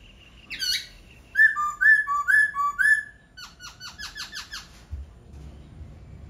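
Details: Laughingthrush in full song: a sharp opening note, then four loud, ringing whistled notes with lower echoes, followed by a fast run of short descending chips that fade away.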